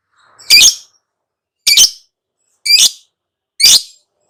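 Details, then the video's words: Lovebird calling, the ngekek style named for its long chattering: four harsh, high, screechy squawks evenly repeated roughly once a second against silence. "KICAU TERAPI BURUNG LOVEBIRD LANGSUNG NGAKAK NGACOR NGEKEK"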